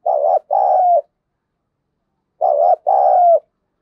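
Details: Decoy spotted dove with a harsh, scolding voice of the thổ sấm style, calling to provoke wild doves: two low hoarse cooing phrases, each a short coo followed by a longer falling one, about two seconds apart.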